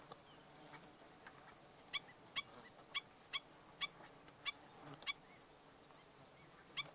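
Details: Black-necked stilt, an adult with its chick, at Bombay Hook National Wildlife Refuge; sharp, ringing yip notes repeated about every half second, roughly nine in a series, over a soft steady background hiss.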